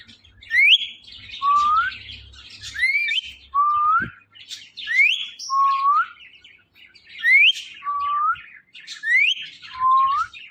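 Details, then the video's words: A talking ringneck parrot repeats a two-part mimicked phrase, a sharp rising squeal then a lower drawn-out note, about every two seconds with brief pauses. "Ringneck Parrot Talking"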